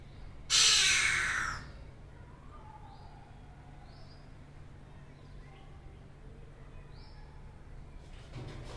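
A greater coucal gives one loud, harsh, hissing rasp lasting about a second, unlike its usual deep booming notes. Faint distant bird notes and a low hum follow.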